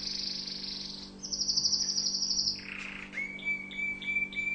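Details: Tunisian orange canary song, described as a song for teaching: high rattling trills, a lower buzzy roll, then short level whistled notes repeated several times, with a constant low hum behind.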